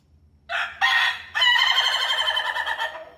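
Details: Crowing rooster: two brief rasping notes followed by a long, loud, sustained crow with a rapid wavering quality, fading out gradually.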